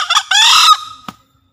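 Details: Javan green junglefowl recorded as a master call to prompt lazy or newly caught birds to call. It crows once in two parts, ragged and brief, then long and harsh, and the crow trails off before a single click.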